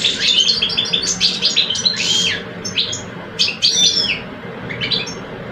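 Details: Singing duel between two caged male European goldfinches from Algeria, an old adult and a two-year-old. Dense, high twittering pours out in quick jangling runs, then breaks into shorter chattering bursts, with faint indoor hum beneath.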